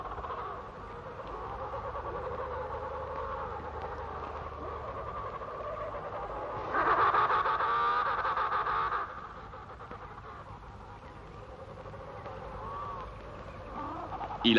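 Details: Antarctic penguin in a colony at Terre Adélie, a parent returning from fishing at sea to seek its mate and chick, gives a loud, harsh, quavering two-second trumpet, over lower warbling colony calls.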